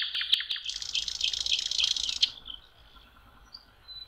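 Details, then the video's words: Spring nightingale by a lake, May: a loud dense buzzing rattle for over a second, then fading faint whistles over background hiss. "Соловьи. Волшебное пение в мае. Nightingale singing"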